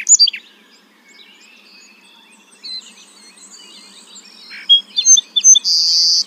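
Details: Song sparrow song: a few sharp high opening notes, a quieter run of thin high whistles, then several clear chips and a dense buzzy trill at the close.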